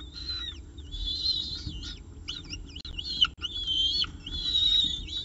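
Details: At the CSU Orange nest site on 24 October 2018, 7:59 am, a peregrine falcon with pigeon prey; strained, whining whistles alternate with quick up-and-down chevron notes, several bursts over five seconds, steady low hum beneath.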